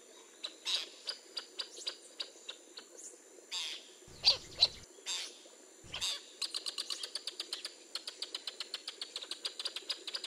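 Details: Wild Northern jacana (Jacana spinosa) near a nest with a hatching chick and a male brooding chicks gives sharp, high peeps, loose at first, then a fast steady run of about three per second, with a few low rustling thumps.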